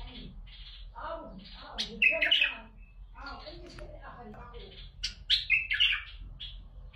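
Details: Bulbul singing to encourage other bulbuls to sing: rapid chattering notes build into loud, rich warbled whistles around the second mark, then a second loud burst of fluty, rolling phrases later, with a quieter human voice murmuring underneath.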